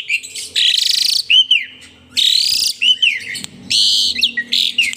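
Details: An Asian pied starling, nodding and pumping in lively song, gives three long grating buzzy bursts, each followed by short arched whistles and clicks, at a steady rhythm of about one phrase every one and a half seconds.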